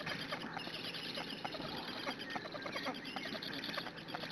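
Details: Young black storks in a Hungarian nest beg insistently, picked up by a live nest camera on a June morning as they wait for a feeding parent. The sound is an unbroken, rapid, raspy chatter of squeaks.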